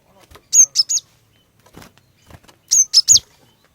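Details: Cinereous tit female singing to draw males into song: two bursts of three rapid, piercing high chirps about two seconds apart, with soft faint human talk and clicks between them.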